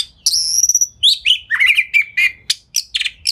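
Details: Fast, dense lure song of an Oriental magpie-robin (kacer), tail fanned, used to make other magpie-robins respond; a high thin whistle opens into a tumbling run of warbled slurs and sharp chips.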